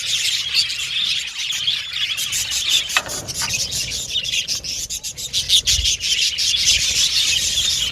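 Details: Budgerigar chirping, presented as repeated contact calls of lonely birds seeking company; busy high twittering of rapid chirps, with a brief sharp click near the middle and a soft low thump later.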